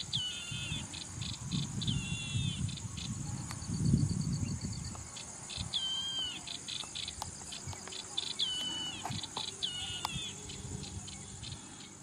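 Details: Song of a yellow-eyed babbler in Indian scrubland: repeated bright, whistled phrases with quick down-slurred and wavering notes, about five bursts over twelve seconds, set against continuous rhythmic insect trilling and a low rumble.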